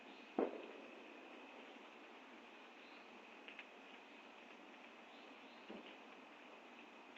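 Quiet steady hiss with one sharp knock near the start, a couple of faint ticks midway and a soft thump later; no animal voice stands out.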